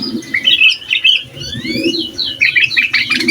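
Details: Sooty-headed bulbul singing energetically, a song meant to agitate other bulbuls and used to tutor young birds: bright chattering phrases with rising slurred whistles, near-continuous over a faint low rumble.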